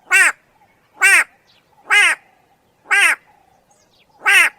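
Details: White-bellied go-away-bird calling: five rasping, nasal 'go-away' notes, each short and harsh, repeated roughly once a second against a near-silent background.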